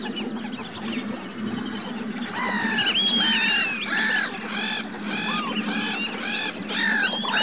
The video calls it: Black-bellied whistling ducks vocalisation